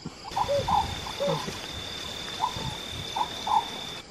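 Oriental scops owl giving short, croaking, frog-like notes in two quick groups of three or four, with a faint steady electronic whine behind.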